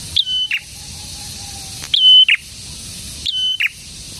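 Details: Three clear high phrases from a prinia, spaced about 1.6 seconds apart, each a steady whistle closing in a buzzy burst, with a faint lower whistle between them.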